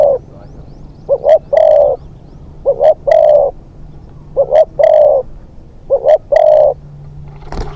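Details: Spotted dove, a young decoy bird on its second training outing for hunting, gives low cooing phrases: two short notes, then a longer drawn-out coo, repeated about every one and a half seconds, with sharp clicks and a faint steady hum.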